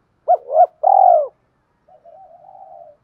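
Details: Spotted dove coo for provoking wild doves and training decoy birds: two quick hooked notes, a long rolling coo, then a soft drawn-out murmur.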